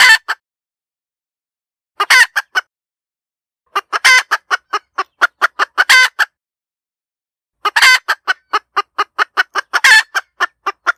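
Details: A hen chicken cackles repeatedly over eleven seconds. Bursts of quick staccato clucks are split by silent gaps. Each burst carries drawn-out, harsh, rasping squawks, and the phrases repeat roughly every two seconds. There is nothing else audible.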